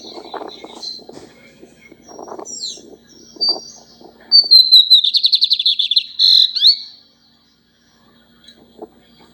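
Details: Lined seedeater singing persistently, opening with scattered high whistles over soft low rustling, then a bright, fast, slightly buzzy trill of rapidly repeated notes that slides into clear whistles before falling silent; faint low hum throughout.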